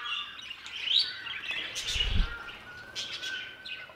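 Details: Aviary budgerigars chirp and twitter in short high bursts against a thin, steady whistled tone, with a low thud in the middle.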